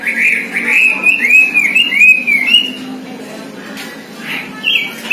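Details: Oriental magpie-robin singing a mimicked songbird repertoire: a run of clear slurred whistles near the same pitch, rising and falling in quick succession, then a pause and a few higher whistled notes, with a steady low hum beneath.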